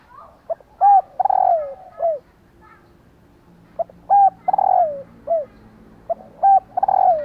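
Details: Female spotted dove calling to stir male spotted doves into cooing; short grouped coo phrases, a few clipped notes then a longer falling coo, repeated in two similar bouts.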